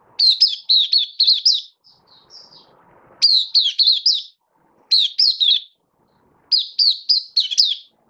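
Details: An Oriental white-eye, after a major moult, sings high, rapid twittering phrases of slurred chirps, four bursts about every one and a half seconds, in a quiet room.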